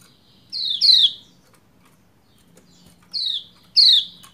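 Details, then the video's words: Calling female Lombok white-eye, meant to spur a quiet male into song; two pairs of high downward-slurred notes, each pair a softer note then a louder one, separated by about two seconds. "Ciak Ciak Pleci Lombok Betina Memanggil Jantan Supaya Cepat Gacor"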